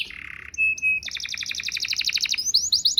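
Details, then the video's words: Canary song used to lure birds into mating; opens with a buzzy flat note, then clear whistles, then a fast rattling trill of repeated high notes followed by rising sweeping whistles. "PANCINGAN KENARI KAWIN"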